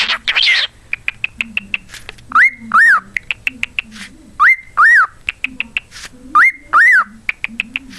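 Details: Repeated wolf whistles from a pet cockatiel, each a quick upward slide then a rise-and-fall note, given three times, separated by rapid ticking clicks and a rough burst at the start.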